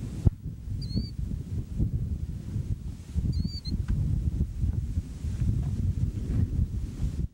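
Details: A Killdeer calls near Spencer, South Dakota, on 30 May 1998, while an F4 tornado strikes a few miles away: two shrill, high whistled notes, each rising then dropping, about two and a half seconds apart, over heavy low wind rumble.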